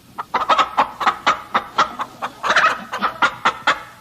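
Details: Hens clucking steadily in quick, clipped notes about four per second, some doubled, with a slightly noisy background and a louder burst of overlapping clucks midway.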